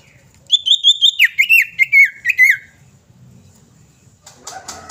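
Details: Common iora female calling a male in a rapid run of about nine whistled notes, the first ones level and high, the later ones slightly lower and slurred downward, then a faint rustle.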